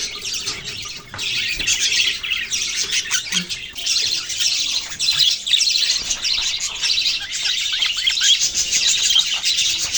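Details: Budgerigars chirping together: dense, continuous high warbling chatter with overlapping squeaky twitters and short chirps throughout, steady in loudness, with no pauses.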